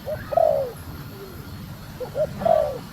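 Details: Calling female spotted dove urging the male on: two phrases, each a quick short note and then a longer, downward-sliding coo, about two seconds apart over low background rumble.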